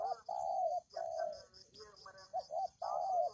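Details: Spotted dove calling for luring: mellow low coos, long drawn notes alternating with quick paired notes, repeated in a steady series against a thin high ringing background.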